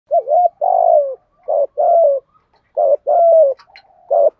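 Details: Spotted dove giving a prompting coo meant to make young birds coo in reply: low mellow coos in short groups, some rising then falling, about one group every second, in a quiet setting.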